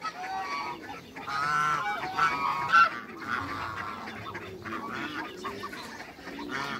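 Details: Domestic geese in a backyard, an African gander paired with a Toulouse goose for breeding hybrids: loud, nasal honks repeat in uneven bursts, the strongest around two to three seconds in, with softer honking and farmyard murmur continuing throughout.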